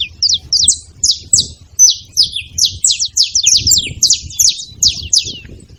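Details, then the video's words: A flock of saffron finches chattering together in rapid, high, downward-slurred chirps that run almost continuously, crowding and overlapping in the second half. "Canário da terra junto fazendo barulho"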